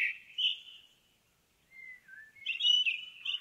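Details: Indigo bunting in woodland giving a sweet rising phrase, a pause, two thin descending whistles, then a jumbled high twittering finish.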